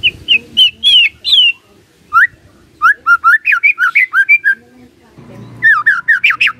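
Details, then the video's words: A White-rumped shama sings rich, varied whistled phrases, rising and falling in quick bursts, with short pauses and a faint background hum; used as a lure song to prompt silent shamas to answer. "murai DIAM langsung respon NYAUT"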